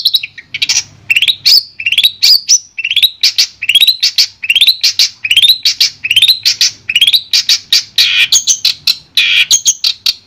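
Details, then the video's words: Long-tailed shrike song for coaxing a silent shrike back into song: a long series of rising upslurred whistles, each about half a second apart, delivered steadily for ten seconds and ending in harsher scratchy notes. "Terapi Suara Untuk Cendet Macet"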